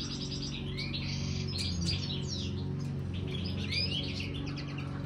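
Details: Major European goldfinch kept in an aviary and trying marigold as a snack: bright, twittering phrases with quick rising whistles sit above a constant low mechanical hum.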